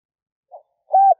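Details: Spotted dove decoy cooing at dawn to draw in wild doves: a faint short note, then one clear, steady, mid-pitched hooted coo. No other sounds.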